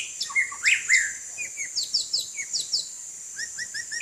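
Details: Bathing in the rain, a white-rumped shama delivers varied clear whistles and chirps, then a run of short rising notes, all against constant high-pitched rain hiss.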